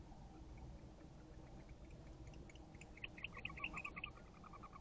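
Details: Wild barn owl at an owl box, 5:08 am on 11/3/23, a paired female chasing away another female; faint at first, then a rapid run of sharp, twittering pulses in the last two seconds over constant low-pitched hum.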